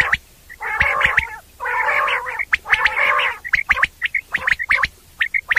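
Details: Night calling of common quail, used for hunting: three long rasping, buzzy bursts, then a rapid scatter of short sharp high notes in small clusters.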